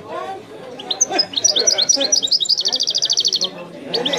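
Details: Goldfinch song of the Oudani style, with high tinkling twitters that break into a fast, even trill of about twenty identical notes, all over a background of low murmur.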